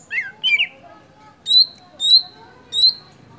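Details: Golden-fronted leafbird song used as a lure to get other birds singing: a few rough squawky notes, then three bright high whistles, each falling slightly, spaced roughly half a second apart.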